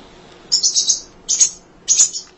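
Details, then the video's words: Munia singing for songbird training: three short bursts of high, buzzy, hissing notes about half a second apart. "Kicau Emprit Ngoceh Tak Kenal Lelah Untuk Masteran"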